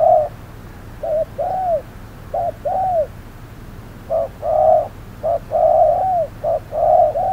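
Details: Spotted dove acting as a decoy during trapping at hot midday, giving repeated short-then-long coos, first arched and moderate, then louder, fuller and more rapid pairs.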